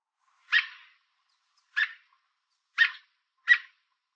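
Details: American robin perched on a fence in Southern Ontario, Canada, calling out, apparently warning an intruder to stay away; four short, harsh, raspy chirps spaced unevenly across four seconds against a quiet background.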